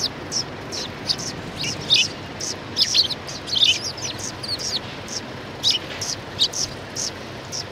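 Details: Welcoming sparrows outside a cultural hall on 7 February 2020 chatter in lively clusters of high, squeaky chirps, bunched around the third and fourth seconds and again near the end, several birds at once.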